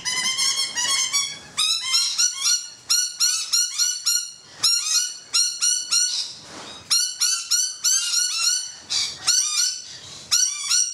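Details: Two rainbow lorikeets on a balcony, with more on the roof, keep up a dense run of shrill, rasping chatter: short metallic notes fired in rapid bursts with brief pauses between volleys.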